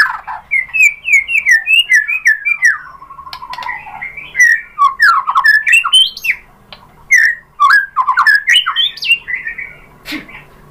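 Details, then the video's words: Caged White-rumped shama song played as a lure to provoke another bird to sing: a long run of varied whistled phrases, slurred rising and falling notes interspersed with sharp clicks and chattering, loud and continuous. "MURAI BATU jadi NYAUT GACOR BONGKAR ISIAN ¦ PANCINGAN MURAI ¦ SHAMA BIRD"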